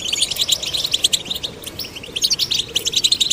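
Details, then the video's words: Male and female goldfinch chicks being stimulated to sing: a dense, rapid run of high chirps and tinkling twitters, continuous and busy with quick short notes, possibly several birds at once. "Stimulating male and female goldfinch chicks to sing birds chirping"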